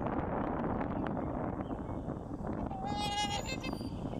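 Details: Pair of trumpeter swans (Cygnus buccinator) on a northern USA pond during spring migration, bobbing heads and taking off; a single brief, nasal, brassy horn-like trumpet over rushing wind and water.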